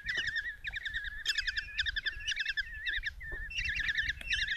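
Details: Mother Common Kestrel feeds a mouse to five chicks in a Tiszalök, Hungary nest box, June 27, 2024, morning; the young call insistently with repeated bursts of shrill, quavering chitters over a steadier drawn-out squeal, plus occasional sharp taps.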